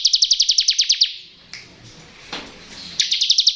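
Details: A bar-winged prinia delivers ngebren song, a lure for lazy or untrained birds: a rapid string of about ten high, ticking, buzzy notes, a short gap with soft chirps, then another fast burst begins.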